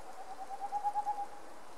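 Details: A Boreal Owl in Sandomierz Forest (Puszcza Sandomierska) gives a quick run of about seven soft, mellow hoots that swell then fade, over a steady rain-like hiss.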